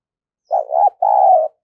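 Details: Captive decoy spotted dove cooing vigorously to lure wild doves: two low, hoarse coos, a broken first phrase with a small dip, then one long, steady, purring note. The background is quiet.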